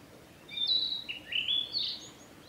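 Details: Male narcissus flycatcher in spring song on a Japanese forest road, 1 May 2021: clear whistled phrases stepping down then rising again, slurred and sweet, in a quiet wooded setting.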